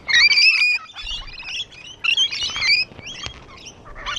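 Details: Rainbow lorikeets sitting on a wall give bright, squealing chirps with sliding pitch, loud at the start and again midway, then quieter chatter.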